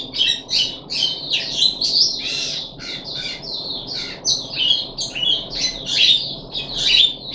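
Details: Loud, busy song from a caged puff-backed bulbul on its third deworming day in July 2021: sharp high chirps and squeaky twitters tumbling together in quick succession.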